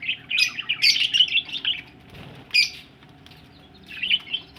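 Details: Budgerigars ready to lay eggs give a quick burst of scratchy, warbling chirps, then a short gap with a faint rustle, a single sharp chirp and a final brief warble.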